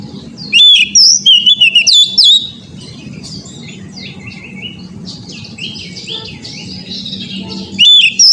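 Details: Oriental magpie-robin recording used as therapy to get other magpie-robins singing loudly and often. Bursts of sharp, high whistled notes with rapid upward and downward sweeps, then softer scratchy warbling, over a steady low rumbling background.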